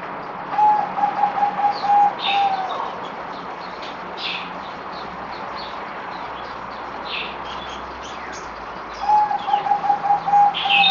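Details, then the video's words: Zebra dove, a kept bird on its fourth day of deworming treatment, recorded 17 April 2020, giving two rapid, stuttering cooing trills on an even pitch, each lasting about two seconds, with other birds chirping high behind it. "Merbok Zebra Dove"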